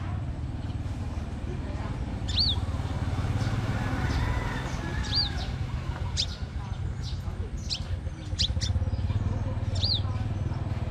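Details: Crimson sunbird in competition singing, giving thin, high, arched whistled notes a few seconds apart, mixed with sharp ticking clicks, over a steady low background rumble.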